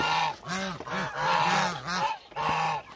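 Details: About a thousand hungry Muscovy ducks make a loud chorus of hoarse, arched honks, several rolling one into the next over three seconds, with short pauses between groups.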